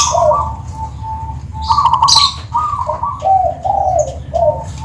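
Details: Zebra dove from Tuban with a 'crystal' voice style: a series of soft, rolling mid-pitched coos in short phrases, with a few brief high chirps and a steady low background rumble.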